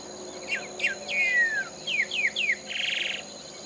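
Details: Greyish saltator song in Esperanza, Santa Fe, Argentina, 2023: a quick run of sweet, downslurred whistles with one long falling note, ending in a short buzzy rasp over a steady high insect whine.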